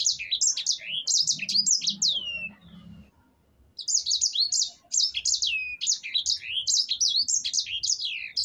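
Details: Sanger, or black-throated canary, performing ngerol song: two bursts of quick high downslurred whistles and chattering notes separated by about a second of quiet.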